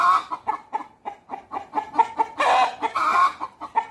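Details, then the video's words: Chickens talking among themselves, a rooster with hens: quick repeated low clucks, then louder drawn-out squawking calls midway before the clucking resumes. "떠드는 닭들(Communications of The cock and The hens)"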